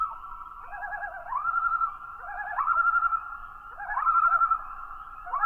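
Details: Common loon giving yodel and tremolo calls: repeated phrases of rising, wavering notes that quaver rapidly, then step up into longer held tones, each phrase roughly every second and a half, clear against a quiet background.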